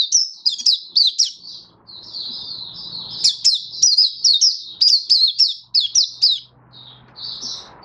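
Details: Oriental white-eye singing, 24 February 2023: a busy chatter of thin, rapid downslurred chirps running almost without a break, ending in a short pause and a final soft phrase.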